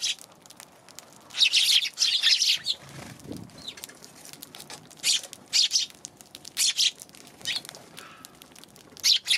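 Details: Eurasian tree sparrows recorded on 11 January, giving scattered short bursts of high chirps separated by quiet gaps, with a soft low thump near the middle.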